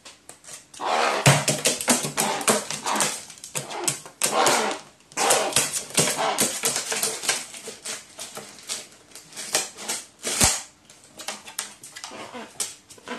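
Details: Crow kept indoors, recorded 8 May 2019, highly excited while playing with a paper balloon and screaming in several ways; harsh, rasping bursts come in quick irregular runs with pauses, mixed with tapping and rustling from the play in a small room.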